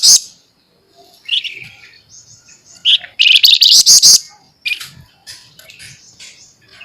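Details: Flamboyan bird in full song, a 'masteran' training recording featuring the sharp 'nyerecet' and 'nembak' styles: high thin chirps, a rapid scratchy rattled burst mid-way, then scattered squeaky notes and faint twitters.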